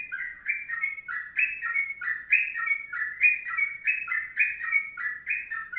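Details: Sooty-headed bulbul in a long 'kongslet' or 'ropelan' style song used as a training recording: bubbly, warbled phrases rising and falling, delivered continuously in quick repeated bursts about once a second, with no other sounds.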